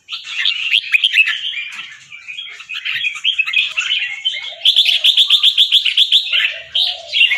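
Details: A white, red-eyed albino Red-whiskered bulbul of competition stock, caged in Chonburi, Thailand, practising song. Bright warbled phrases give way to a quick series of rapid repeated staccato notes, with a faint lower whistle in the background.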